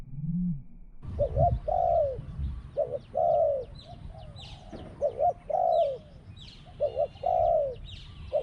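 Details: A spotted dove kept as a decoy bird coos: two short clipped notes, then a longer arched coo, repeated roughly every two seconds, with faint chirps of small birds and a low rumble.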